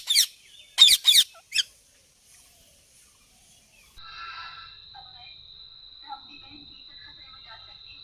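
A ringneck parrot gives four loud, harsh, scratchy chirps in quick succession, then falls quiet while a steady high-pitched whine and faint background noise continue.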